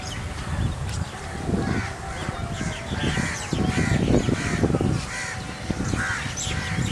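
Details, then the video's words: A large migrating flock of rosy starlings in a murmuration above Hamirsar lake, Bhuj, Kachchh, on 18 March 2018, recorded from beneath: dense, harsh overlapping chatter over strong low wind rumble and a steady hum. "Rosy starlings murmuration"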